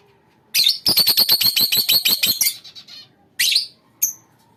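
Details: Lovebird colony: a rapid run of about ten shrill chattering notes in quick succession, followed by two separate squeaky chirps.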